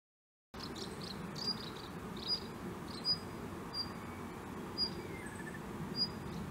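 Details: A tame male Daurian redstart, often seen at this spot, gives thin, high, clipped call notes about once a second over a steady low rumble of background noise.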